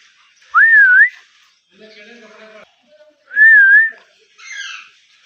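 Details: Ringneck parrot producing long, smooth, wavering whistles separated by a soft, voice-like murmur, then a short harsh, scratchy chirp at the end.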